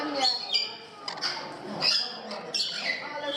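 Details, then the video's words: Parrots in Gdańsk, Poland, giving sharp, high chirps and short screeches in rapid runs, with people talking nearby. "Parrots in Gdansk, Poland"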